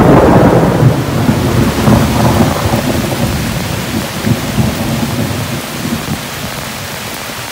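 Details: Rolling thunder booms over heavy rain falling on surfaces, slowly fading.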